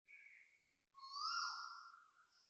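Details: Asian koel calling loudly in early morning at 6.43am on 20 December 2025 in Toa Payoh, Singapore: a short whistled note, then a louder, drawn-out whistle that rises and slowly falls, with a thin higher overtone.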